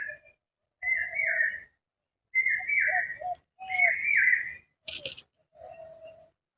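Indian cuckoo giving whistled, multi-note phrases about every one and a half seconds, with a brief noisy thump partway through.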